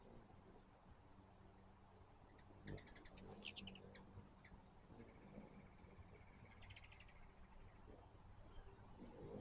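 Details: Hummingbirds visiting a backyard feeder give two short bursts of rapid, high, stuttering chips several seconds apart, with a faint steady tone and low ambient noise between them.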